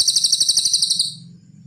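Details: Cililin song recorded as training material for songbirds: roughly one second of high, buzzy, rapidly pulsed trill, which tapers away into a low background hum.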